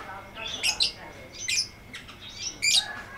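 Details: Lovebird ngekek song meant as training audio: sharp high chattering bursts repeated about once a second, with a faint steady tone underneath.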